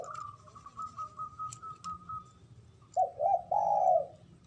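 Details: Male zebra dove giving the ngoar manggung call that excites mating arousal: a faint steady tone with soft ticks, then three mellow coos rising in length, the last long and slightly wavering.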